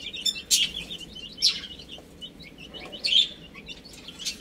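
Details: Young chicks chirping while they play and eat: short, high peeps repeat rapidly, and louder squeaky cries stand out about every one and a half seconds over a soft background hiss.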